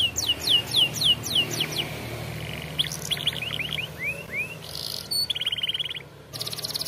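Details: Canary song for training young canaries: series of bright downslurred whistles, then upward-curving notes and a buzzy rattling trill, over faint background hum.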